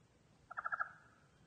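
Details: Common raven, a kept bird calling for food after Winter Storm Quinn left a foot of snow; a quick burst of five throaty, rattling notes packed into about a third of a second, then a quiet background.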